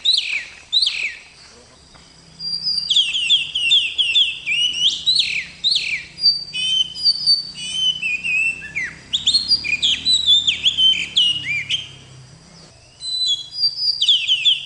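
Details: Oriental magpie-robin, a kept bakalan bird in full gacor song: varied whistles, slurred upward and downward notes and rapid chirps in long busy stretches, with a pause near the start and another before the end.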